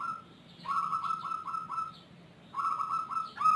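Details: Zebra dove with an unusual voice that calls long and often. Two runs of quick repeated mellow cooing notes at a steady pitch, separated by a brief lull, over a low background hum.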